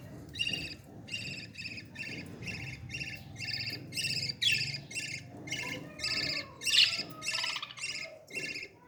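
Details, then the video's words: Begging from a baby parrot being fed, a long run of rapid, rasping, harmonic calls repeated nearly twice a second, with a few sharper squeaky accents and low rustling. "beautiful parrot 🦜 baby feeding"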